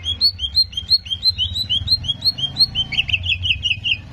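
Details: Greater green leafbird song played to provoke aggression: a loud, regular string of rising-then-falling whistled notes, about three per second, followed by a rapid trilled run, over a low hum.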